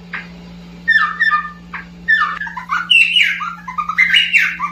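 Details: Cucak pantai, endemic to Papua, giving loud varied whistled phrases, some descending in steps, others rich and slurred, in several bursts over a constant low hum.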